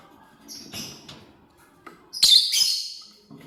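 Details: Lovebird chirping over corn: a few soft, scratchy high notes, then a loud, drawn-out harsh screech with a trailing rasp, and a faint click at the end.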